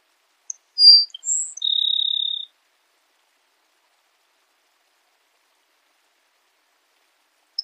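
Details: Grassland sparrow singing: a few thin, very high separate notes, then a dry buzzy trill held level for nearly a second. Long silence follows, with one faint high tick near the end and no other sounds.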